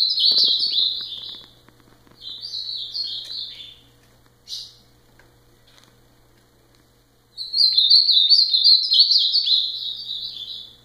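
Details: Ultramarine grosbeak singing three high, warbling phrases of rapid sliding notes, each one to three seconds long, separated by pauses with a single short note in between; a low steady hum underneath.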